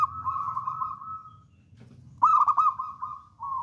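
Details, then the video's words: Bold, frequently singing local wild zebra dove used as a lure: a sustained wavering coo, a short silence, then a strong burst of quick pulsed notes running into a long falling coo. "PERKUTUT LOKAL ALAM GACOR"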